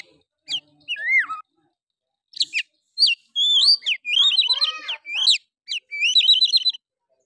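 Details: Oriental magpie-robin (Copsychus saularis) song used to provoke other males into singing: rich, varied high-pitched phrases of clear whistles, slurred notes and rapid trills in bursts over several seconds.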